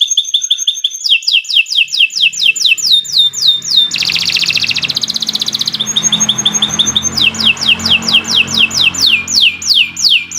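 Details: Canary song used as a lure to get caged birds singing: long, loud run of rapid repeated notes, slurred downward whistles alternating with fast trills and a buzzy rattle, all high-pitched.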